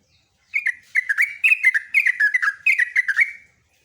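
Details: Yellow-vented bulbul (trucukan) delivering a long, rapid gacor ropelan song meant to draw answers from other bulbuls: a bright chattering run of short slurred notes around two kilometres of pitch range, bursting for three seconds against silence.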